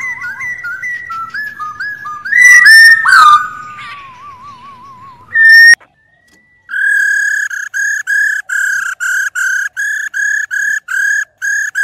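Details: Female white-cheeked laughingthrush, a kept cage bird, uttering loud clear whistles and a wavering warble, then a rapid run of evenly repeated ringing notes. The recording is used to stir male birds into song.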